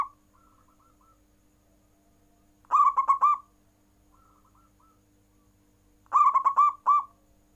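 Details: Caged zebra dove (perkutut) in full nggayer cooing, prompting rival birds to call: two loud bursts of rapid, rolling coos around three seconds apart, with fainter cooing from another dove between them.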